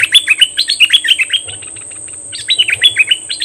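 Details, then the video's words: Caged decoy Cream-vented bulbul, noted as aggressive this time, May 2021: lively rapid phrases of sweet, slurred chirps, a brief gap, then another fast chattering phrase; a steady shrill hum continues throughout. "Suara merbah lekir Bird sounds"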